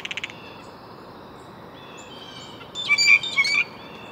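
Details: Faint clicking pulses open, then a thin whistle drifts in. Next comes a loud volley of harsh, buzzy blue jay notes, four or five in a row, before the sound cuts off into quiet background hiss.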